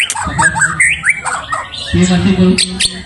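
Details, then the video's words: White-rumped shama lure recording used to provoke rivals: a rapid run of varied whistled and chattering notes with quick rising sweeps, a low steady musical hum entering partway through. "pancingan MB cari lawan"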